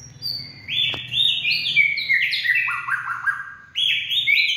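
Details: Purebred white-rumped shama singing on a late afternoon, 18 February 2024: sweet whistled notes sliding and stepping down in a fast, irregular run, a sharp click early on, and a fresh rising phrase near the end.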